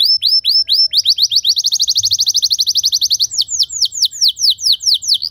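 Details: Canary singing, played so other canaries learn to sing open and long. Rolling repeated notes speed up into a rapid even trill, then break into slower, broad downward-sweeping chirps.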